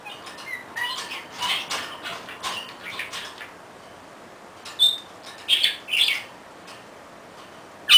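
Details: Pet budgerigar on a swing it loves, chattering as it rocks itself; soft scratchy warbling at first, a pause, then several sharp loud chirps in a cluster and a final abrupt chirp.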